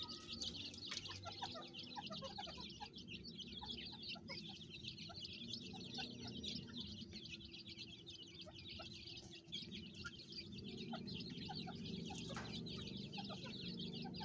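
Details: Farm-kept francolin brood, the mother calling her chicks: a constant chorus of shrill rapid cheeps from many chicks, about two per second but irregular, with soft mid-pitched clucks and a low rumbling background throughout.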